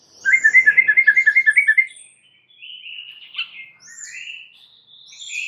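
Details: White-rumped shama lure song meant to make other shamas answer: a fast run of about ten bright chirps, then varied thin whistled phrases that rise and fall.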